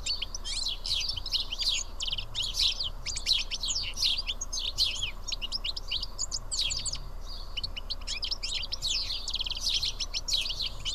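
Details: A flock of house sparrows eating together at Karyotissa in Greece chirps almost without pause, quick cheeping notes in irregular clusters from many birds over eleven seconds, with a quiet rumbling background.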